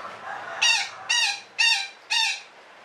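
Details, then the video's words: Parakeet giving its long cackling call (ngekek panjang): four harsh, nasal squawks in a steady series about half a second apart, each short and strongly harmonic, over faint background hiss. "SUARA KICAU BURUNG BETET NGEKEK PANJANG"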